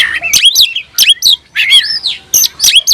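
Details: Kacer or oriental magpie-robin, caged, singing to call a rival to fight: short loud bursts of mixed whistles and harsh chirps separated by brief pauses.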